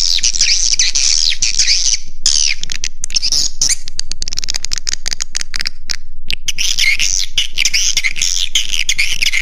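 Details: Swiftlets (walet), in a roosting-lure call recording, twitter constantly in a dense, high-pitched chorus of buzzy chirps and sharp clicks, several calls each second with brief gaps.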